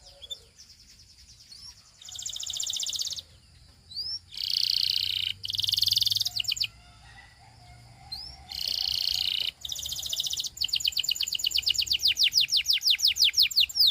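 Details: Belgian singing canary singing to attract other canaries: dense high buzzy rolls in several one-second bursts separated by short pauses, ending in a long run of quick, sharply descending whistled notes.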